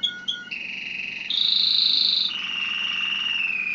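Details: Gloster cross canary singing Malinois-style song: sustained, steady whistled tones that switch abruptly between pitches, one long bright note in the middle, with faint rolling texture and no other sounds.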